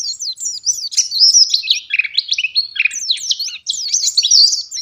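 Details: A pleci ngalas (white-eye) sings in lively gacor style, a tumbling run of high, thin, zigzagging whistles and sharp twitters with a dip to lower notes mid-phrase, ending in bright, rapid chatter.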